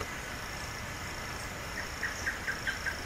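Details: Wild, free palm tanager giving a quick run of short, sharp chip notes, about five in a second, over steady hiss and a thin high drone.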